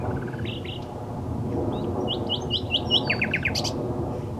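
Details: Common nightingale singing: a short run of thin rising notes, then clear whistles and a rapid series of loud, clipped repeated notes, with steady low background rumble.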